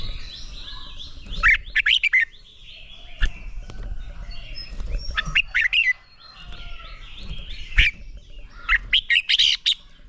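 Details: Red-whiskered bulbul singing in a training recording that encourages bulbuls toward fierce contest singing: repeated short phrases of lively, bubbling whistled notes every few seconds, with occasional sharp knocks and faint background chirping.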